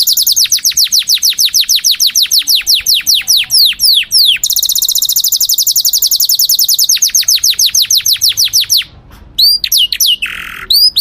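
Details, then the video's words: Canary song with ciblek-style imitation phrases: loud, rapid trills of sharp descending notes repeated about three per second, shifting into a faster rolling trill and then a sustained tone, ending with scattered whistled notes. "Kenari gacor._tembakan ciblek"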